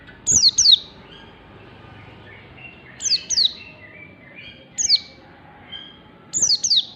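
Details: Oriental white-eye in the morning, recorded as a tutor song for training white-eyes, gives high, thin, sharply falling notes in quick pairs in bursts every 1.5 to 2 seconds, with soft twittering between.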